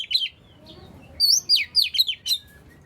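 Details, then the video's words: Oriental magpie-robin, song to prompt other magpie-robins to sing: a short whistled note, near silence, then five or six sharp descending whistles in quick succession. "burung Kacer yang males bunyi pasti ikut gacor 100%"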